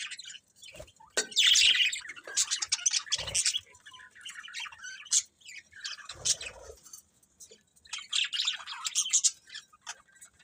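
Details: Budgies chirping in clusters: rapid high twitters and squeaks come in bursts at the start, middle and end, with short quieter gaps and occasional soft clicks.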